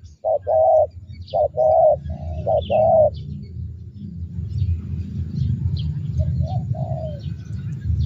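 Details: Spotted dove lure call, prized 'thunder' voice: several short and long hollow coos early, then a faint trailing coo amid a loud low rumbling background noise.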